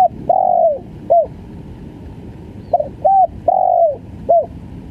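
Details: Tekukur, or spotted dove, calling gagap full style: drawn-out descending coos, each followed by a brief curved note, plus quick stammered pairs of short notes, with a faint background hum.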